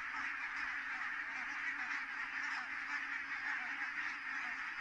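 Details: Geese landing en masse at Kulgur, Estonia, 4 May 2018, 17:58. Continuous massed honking with slight swells in volume, the many voices merging into one murmur.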